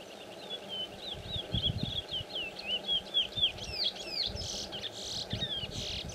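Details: A chestnut-bellied seed finch (Sporophila angolensis, curió) sings a fast run of sweet, slurred whistled notes that grow into louder, richer swoops, over low rumbling background noise.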